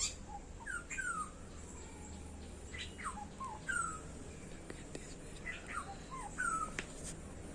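A black-hooded oriole gives short, fluty whistled notes that slide downward, in small groups every second or two, over a steady low rumble and faint chirps from other birds.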